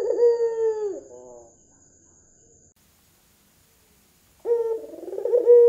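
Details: White Barbary dove with red eyes, a keen caller used as a lure for other doves: one coo ending in a downward slide and soft hum, a faint steady high whine, a long silence, then another coo beginning.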